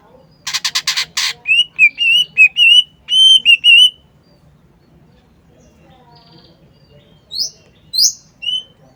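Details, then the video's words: Cucak ijo, or green leafbird, in full song: a dense burst of harsh buzzy notes, then repeated looping whistled phrases, a pause, and a few high sweeping chirps at the end. "CUCAK IJO GACOR"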